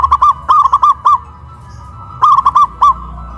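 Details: Local zebra dove hoisted on a pole in Kuningan, West Java, singing loudly in a contest of big versus crystal voices. Two clear phrases of about five bright, bubbling coo notes, separated by a second of near silence.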